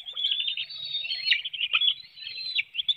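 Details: Nest webcam in Hanover, Pennsylvania, early morning on 9 June 2019: a bald eagle parent feeds fish to its young. Loud, shrill twittering runs without pause, with sharp squeaky peaks and quick chirps.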